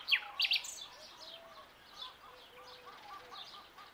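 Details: Young nightingale singing at dawn: a few sharp, high chirps at the start, then soft, thin whistled notes and short slurred phrases drifting over a quiet, faintly hissing background.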